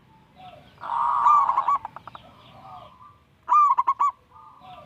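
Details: Young local zebra dove in full song, used to prompt lazy doves to sing: a drawn-out warbling coo followed by quick staccato notes, then after a pause a short burst of four clipped notes and a soft trailing coo.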